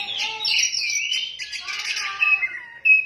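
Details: Oriental magpie-robin (kacer) singing in the 'ngefly gacor' style: a dense run of bright, varied whistles and chirps, ending with a sharp, loud whistled note.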